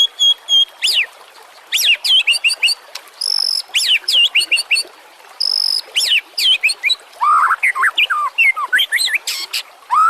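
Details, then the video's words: White-rumped shama (murai batu) song from a master recording meant for training other songbirds: bursts of high, sharp whistled and chirping notes, fast rising and falling slurs, and quick trills, broken by short pauses. "Suara kicau burung murai batu"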